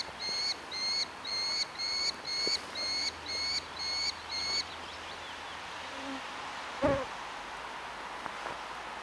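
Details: Orphaned young Merlin begging for food in Engerdal, Norway, early July 2011: eight evenly spaced whining notes in about four seconds, then silence broken by a single dull knock.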